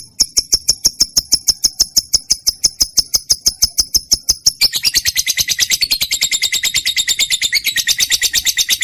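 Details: Trained lovebird song beginning as a string of thin, clicking high notes at a steady beat, then swelling into a dense, buzzy, shrill chatter.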